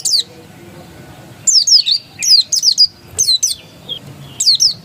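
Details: Oriental white-eye (pleci dakun) singing in the insistent ngotot style: high, thin, downward-slurred whistled notes in quick bursts, a brief phrase then a pause before several clustered strings of notes.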